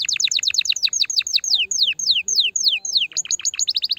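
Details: Domestic canary song played to stimulate the female and encourage mating; rapid repeated downslurred high notes in quick trills, then slower descending sweeps around the middle, ending in fast chirping phrases.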